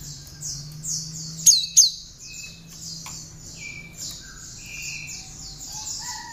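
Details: Captive, tame, hand-reared great tit in active song with prinia imitations, used as a master recording for training birds. Fast high buzzy notes repeat about three per second, broken by two loud sharp chips and lower whistled tones.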